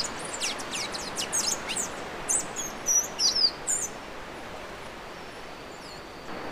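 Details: Bay-headed tanager, a species found across northern Brazil, Mato Grosso and Maranhão, singing thin, very high sibilant notes in a quick irregular run for about three seconds. Then it falls silent, leaving steady background hiss.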